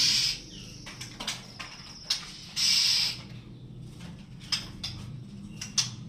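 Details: Greater green leafbird singing a strong tutor song for training other songbirds: bright, high, sustained whistled notes at the start and near three seconds, scattered short sharp chips between, and faint low background hum.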